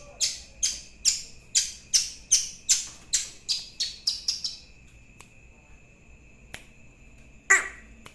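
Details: Young long-tailed shrike repeats a dry, scratchy rasp about a dozen times at a quick steady pace, speeding up before stopping, then one final loud harsh note after a pause.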